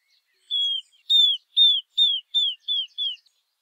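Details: Seven pure, slightly descending whistles from a Southern beardless tyrannulet, called risadinha, given in an even series about every third of a second after a longer opening note, the last ones softer.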